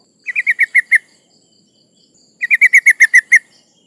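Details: A female sooty-headed bulbul in breeding condition calls to males, a sound used to lure rival birds: two runs of six to eight rapid chirps, each slightly descending, about one and a half seconds apart.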